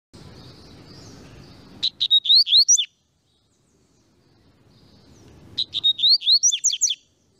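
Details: Double-collared seedeater singing: after faint background hiss, a loud burst of clear whistled notes, several rising upslurs around 4k, repeated as a second similar phrase about four seconds later.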